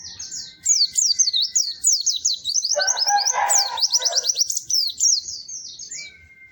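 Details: Continuous lively white-eye song, melodious and high: fast zigzagging chirps and tweets strung together for several seconds, with a brief burst of lower, clattering sound partway through.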